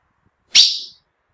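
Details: Ultramarine grosbeak female calling, a sound males recognise and get excited by: one clear, piercing chip note, sudden at the start and trailing off quickly, in otherwise silent surroundings.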